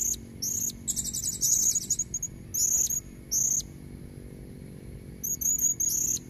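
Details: Calling female blue-crowned hanging parrot, used to lure red-throated males: shrill, very high, fast trilling squeaks in dense bursts, then shorter separated squeak phrases, with steady low background noise.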